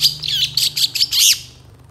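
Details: Long-tailed shrike giving a full isian song, a training recording meant to provoke replies from other shrikes: a few rapid high buzzy chirps, then a looping arched whistle and a fading trill.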